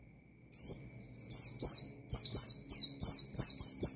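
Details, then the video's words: Oriental white-eye calling out opponents with a lively ngalas song and shooting notes: after half a second of quiet, a continuous chain of very high, sharply descending chirps, each quickly following the last. "Burung Pleci Gacor Ngalas Nembak Mangil Lawan,Memicu Emosi Pleci Bahan"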